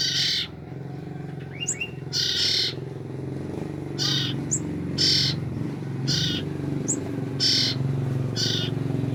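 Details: Two-week-old common iora siblings, used to lure the parent birds, give about seven harsh rasps with brief high chirps between them, over a strong low engine-like rumble.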